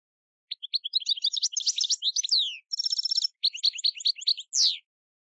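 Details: Field-style European goldfinch song for schooling young decoy and contest birds: dense tumbling twitters, a buzzy metallic trill, more chattering phrases and a final sharp descending note, with faint low clicks.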